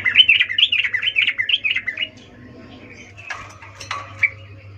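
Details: Wild yellow-vented bulbul in natural habitat, calling energetically: two seconds of rapid, bouncing, rising-and-falling notes, then quieter scattered chirps with a couple of sharp clicking knocks and a steady low hum beneath.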